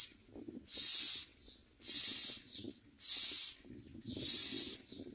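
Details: Common myna baby birds screaming for food while fed in their mouths: four evenly spaced, loud, breathy hissing screeches, each about half a second long and a second apart, with quiet rustling between.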